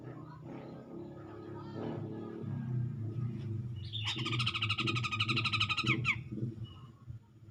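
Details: Grey-cheeked bulbul singing to provoke a rival: a two-second burst of harsh, rapidly repeated notes over a steady low rumble of background noise.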